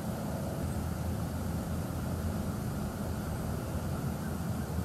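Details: Steady low rumble of an engine or passing aircraft fills the recording, with no animal voice standing out.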